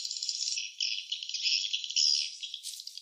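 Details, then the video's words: High, buzzy swiftlet twittering at a nest, a thick continuous chatter with a sharper burst of shrill calls near the end. "suara sarang burung walet ( swiftlet sound )"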